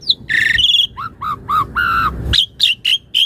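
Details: Asian pied starling singing as a master song for other birds: a buzzy harmonic phrase, a series of short low fluty notes, then four high squeaky chirps spaced about a quarter-second apart.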